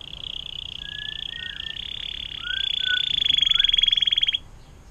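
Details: Atlantic canary song used as a long 'air mancuran' (fountain-water) tutor recording for other songbirds: a sustained high buzzy trill that intensifies into a rapid rattling roll before stopping, with short lower whistled notes underneath.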